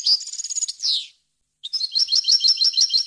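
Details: Clear European goldfinch song for teaching chicks and hybrids; a fast high trill ending in a falling buzzy note, a brief pause, then repeated lilting twittered notes.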